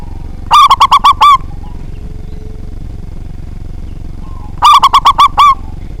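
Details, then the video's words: Local zebra dove in full song with a big voice, meant to provoke rivals to sing. Two matching phrases roughly four seconds apart, each a rapid run of six hollow, ringing coos with a longer closing note. "Perkutut Lokal Gacor Suara Besar, Jago Memancing Lawan"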